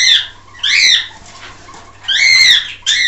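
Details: Male common quail calling his hens: loud, clear, arched notes that rise and fall, given in short bursts with pauses of about a second between them, over a faint low steady hum.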